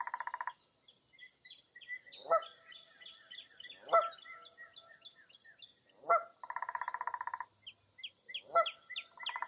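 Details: Dawn chorus on a foggy early April morning at Mirror Lake State Park, Baraboo, Wisconsin. Pulsed buzzy trills alternate with harsh loud calls, while many high chirps and a fast high rattle fill the background.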